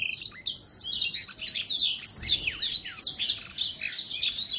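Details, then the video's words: Older black-throat singing in 2021: a loud, unbroken stream of high, tangled chirps and swooping whistles, very busy and energetic from start to finish. "Older Black-throat singing ~ 老黑喉燕歌唱"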